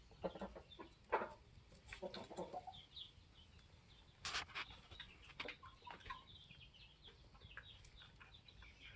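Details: Polish laying hens, 21 weeks old, together with a protective rooster; a burst of rapid stacked clucks opens the recording, followed by a sharp noisy squawk and scattered softer notes over a low background hum.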